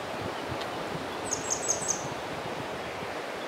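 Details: Grey wagtail, possibly a young male in summer plumage, singing in spring from a rock across a mountain stream: four very high, sharp ticking notes, about five per second, faint over rushing water.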